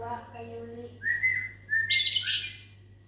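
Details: A lovebird in a mini aviary calls back to a human whistler one morning: two smooth level whistles from the person, then a loud burst of harsh, scratchy, high-pitched squawks from the bird, over a constant low hum.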